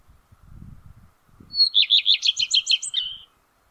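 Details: Male common redstart singing from the top of a spruce in May 2022: a high thin opening note, then about eight quick repeated descending whistled notes, with faint low thumps before the song.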